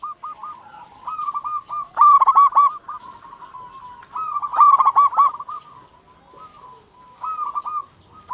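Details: Local zebra dove singing as a lure for other zebra doves. Bursts of rapid, stuttering coos recur roughly every two and a half seconds, linked by softer rolling coos that may come from a second bird.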